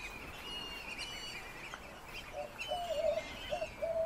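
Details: A flock of West Indian Whistling Ducks on Grand Cayman: thin, high whistles drawn out over several seconds, then lower, reedy whistled notes repeated about every half second.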